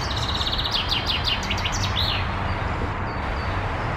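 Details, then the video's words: Male common chaffinch singing between bouts of catching insects, recorded 24 May 2021: a rapid high trilled series of notes descending into a sweeping flourish, over steady loud low background noise. "zięba samczyk - pomiędzy śpiewem łapie owady"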